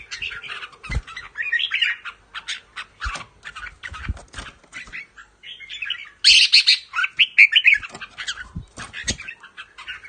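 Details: Red-whiskered bulbul of the Pa La-u line, a caged bird both singing and giving ringing riik calls; dense run of chattering, warbled notes mostly high, with a louder burst of harsh phrases midway and soft thumps below.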